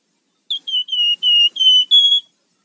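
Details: Rufous-fronted laughingthrush in active 'gacor' song with 'ngebren' and 'nyiul' styles, used as a lure and master bird for training: six clear whistled notes, each slightly falling or level, rising again on the last note.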